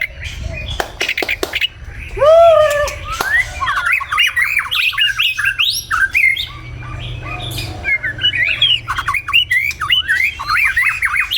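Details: In the morning in Vietnam, a white-rumped shama (Copsychus malabaricus) sings a rich, fast-changing run of clear whistles, slurred upswings and harsh chattering notes, after a few sharp clicks, over a faint low hum.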